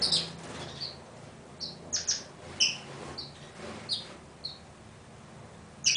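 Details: Pine siskin calling with a series of brief, high, sharp twittering notes repeated at irregular intervals over a quiet, faintly rumbling background.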